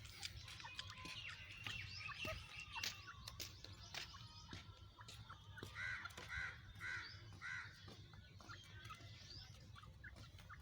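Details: Female francolin (teetar) calling, giving four harsh, nasal notes in quick succession, about half a second apart, after a stretch of clicking and scratchy background noise.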